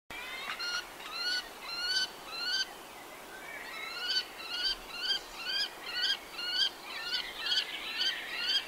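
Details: Common kestrel calling with a series of slurred, whining notes with bent, rising-then-falling shapes, repeated about twice a second and growing busier and overlapping toward the end; steady background hiss.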